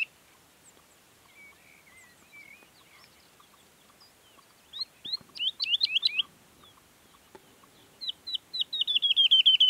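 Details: Singing Woodlark, Sierra Nevada (Granada, Spain): a few soft, drawn-out whistles at first, then bursts of fast repeated descending notes that grow louder and quicker toward the end, in a quiet setting.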